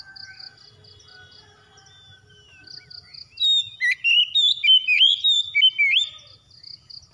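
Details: In a therapy recording for a non-singing kacer, or Oriental magpie-robin, faint flat tones and regular high pulses lead into a burst of loud, jerky whistled phrases with sharp upward slides.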